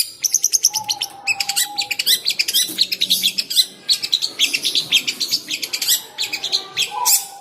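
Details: Caged long-tailed shrike (cendet), fierce when teased yet still singing: a dense, rapid, scratchy chatter of short notes running almost without pause, with a faint low hum in the background.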